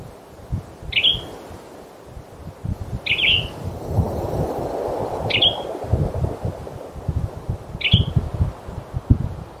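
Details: A male western tanager in a forest, late in the season, gives four short, dry, rising call notes like 'pit-er-ick', spaced about two seconds apart, over a low rustling rumble.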